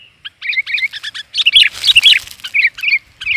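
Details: Female sooty-headed bulbul calling to draw in males: rapid twittering chirps in quick runs, rising into a denser jumbled burst with some background hiss before easing off.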